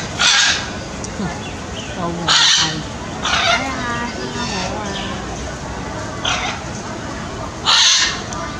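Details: Harsh, grating screeches from a blue-and-yellow macaw, 10 March 2018, bursting out irregularly every few seconds against steady noisy background hiss and faint lower murmuring.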